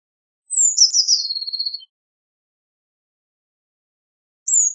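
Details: Eurasian blue tit giving one brief song phrase of high descending notes that run into a short fading trill, followed by long silence and the start of another high note.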